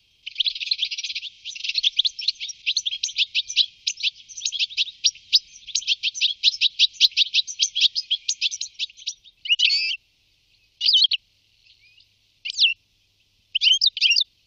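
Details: Goldfinch at Wittlich in 2018 gives a sustained, dense stream of high, scratchy twittering notes for about nine seconds. Then come several separate short chirps spaced a second or more apart.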